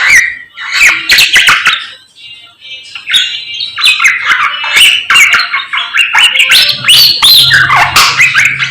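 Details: Morning song from a samyong made of short, squawky whistled phrases and chirps in uneven bursts, with a faint low hum late in the recording.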